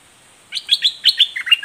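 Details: Red-whiskered bulbul singing a fierce, vigorous doubled song: a quick run of bright, chirpy whistled notes, several rising and falling slurs in close succession over about a second, with a clear, quiet background.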